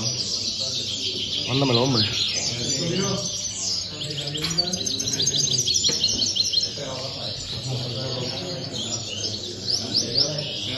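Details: Competition goldfinch in Tarragona, 26/01/2020, delivering fast, high-pitched chattering song of jingling chirps and short trills, near-continuous throughout, over a backdrop of human voices and low murmur.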